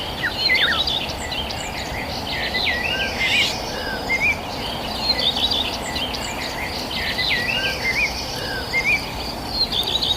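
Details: Many birds chirping in the countryside: dense overlapping whistled notes and short rising and falling chirps, some clear upslurred whistles standing out, over a steady broad hiss of insects and background noise.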